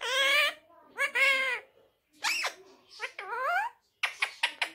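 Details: Talking pet ring-necked parakeet saying "Miyan Mitthu, churri khani hai": several clear, high, nasal speech-like phrases with swooping tones, separated by short pauses, ending in quick clipped syllables, indoors.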